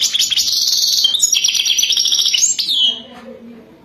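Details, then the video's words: For mating, a European goldfinch sings a 'wadani' song: a bright, continuous twittering warble of high buzzy trills with a rising slide, then a sudden stop into quiet low background noise. "اجمل و اروع تغريد حسون وداني رائع جدا"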